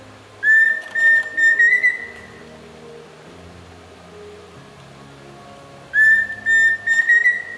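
Pheasant cuckoo singing two short clear whistles and a longer, slightly rising quavering note, the phrase repeated about five seconds later over faint low background music.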